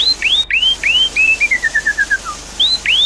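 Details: Javan pied starling singing in a lure recording for a bird that stopped singing. Bright looping whistles rise and fall, then a run of about ten short notes steps downward, before more upswept whistles.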